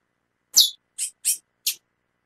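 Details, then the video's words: A female chestnut-bellied seed finch calls a lot, giving one sharp, high chip followed quickly by three softer, slightly lower chirping notes within about a second. "Fêmia do Curió Chamando Muito"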